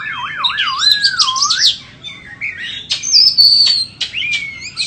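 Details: Melodious white-rumped shama phrase: a warbling whistle rising and falling in smooth waves, then a sustained high pure note and short sharp accents.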